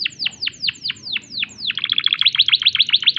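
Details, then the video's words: Canary in breeding condition with a slow run of descending whistled swoops about five per second, switching to a quick bright trill of repeated notes. "tembakan unik kenari gacor birahi"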